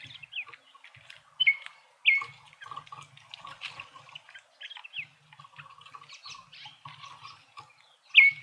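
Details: Several Speckled mousebirds feed together in a Pretoria garden in South Africa, giving short bright whistles that drop in pitch, three standing out clearly among busy twittering and scratchy clicks.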